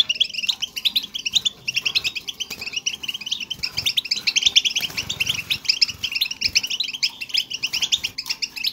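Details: Goldfinch chatter intended to encourage a pet goldfinch to resume singing: a steady stream of quick, high, jingling notes, slightly louder in the middle, over a quiet low hum.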